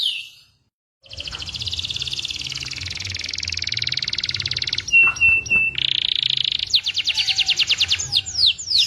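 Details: Local Indonesian canary singing a long buzzy trill that runs for several seconds, then a flat whistled note and a series of rapid rising sweeps. A low hum is heard underneath.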